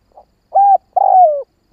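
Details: Short stretch of spotted dove kích bổi cooing: a faint soft note, a level hoarse coo, then a drawn-out coo dropping in pitch, with the next phrase just beginning.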